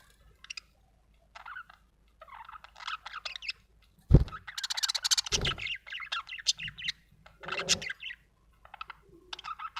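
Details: Budgerigar chirping: scattered soft chirps building into a dense scratchy chatter, with a couple of low thumps or knocks partway through and brief quiet spells.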